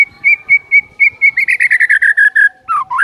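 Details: White-rumped shama singing at full intensity, a tutor recording meant to spur other shamas into song: steady clear whistled notes repeated about four times a second, a quicker run of ringing bright notes, then swooping slurred whistles.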